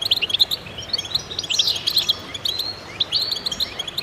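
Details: Goldfinches singing as a chorus to stimulate birds: rapid high chirps and tumbling twitters from overlapping voices, with a louder sweeping buzzy phrase near the middle.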